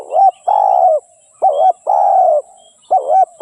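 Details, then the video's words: Spotted dove song: quick run of mellow coo phrases, a short two-humped note leading into a drawn-out level coo, repeated almost without pause, with faint bird chirps and a thin constant hiss behind. "เสียงนกเขาใหญ่/suara burung tekukur"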